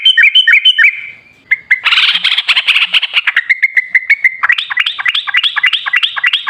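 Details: Yellow-vented bulbul song played as a lure to coax a quiet, reluctant captive bird into singing: loud, bubbly, fluty phrases, with rapid warbled notes and then a run of quick, repeated, rising-and-falling whistles, very close and clear.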